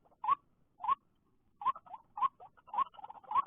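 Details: White-breasted waterhen calling after rain in a bird-trapping setting, where many come out, especially in the late afternoon; sharp rising two-part notes with a clicky onset, repeated about every half second, plus softer answering notes and quiet pauses.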